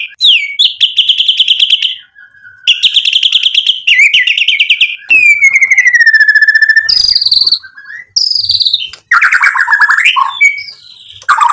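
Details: White-rumped shama in rich, varied song aimed at provoking rivals: long rapid trills, level whistles, a descending series of notes, and sharp rising and falling whistled phrases.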